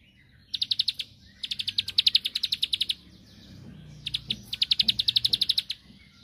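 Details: Bar-winged prinia giving quick runs of high chipping notes in uneven clusters, softer at the start, with low background rumble. The song is used to provoke a rival into replying.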